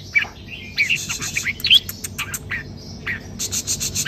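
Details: Red-whiskered bulbul in double-note song style, softer whistled phrases rising and falling in short bursts with brief pauses, some notes buzzier, over a quiet background hiss.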